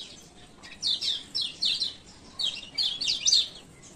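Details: Lombok male Lemon-bellied White-eye (kecial kuning), ciak ciak calls used as a lure so reluctant birds open their beaks. Short bursts of sharp, high twittering notes in clusters, separated by brief pauses, over quiet background.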